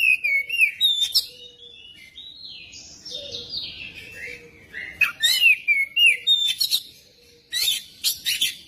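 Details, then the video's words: Magpie-robin song used as a lure to prompt a magpie-robin to sing: varied whistled phrases and sweeping slurred notes, with buzzy rattles near five and eight seconds and quiet pauses between bursts. "pancingan kacer biar cepat gacor dan ngobra"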